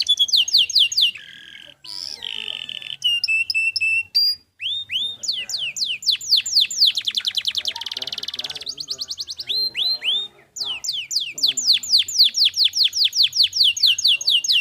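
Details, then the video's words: Canary singing with a clear voice as a training recording: rapid trills of repeated notes, short buzzy rolls and quick whistled upsweeps, changing phrase every few seconds with brief pauses between. "LANGSUT NYAUT GACOR Dengar Masteran Kenari Gacor Suara Jernih Ini"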